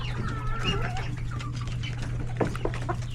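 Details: Hectic feeding time in a coop of chickens, roosters and chicks: a few drawn-out wavering mid-pitched calls early on, lower clucking, then short thumping pecks near the end, all over a steady low hum.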